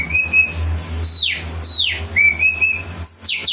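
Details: Striated grassbird song used to prompt a kept bird to sing: clear level whistles alternating with sharp downward-sweeping notes, repeated, over a low steady hum.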